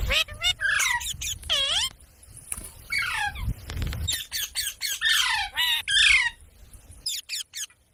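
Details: Parrot calling with dense bursts of harsh, buzzy squawks and looping whistled notes, loud and nearly continuous, with a quieter gap before the calls resume.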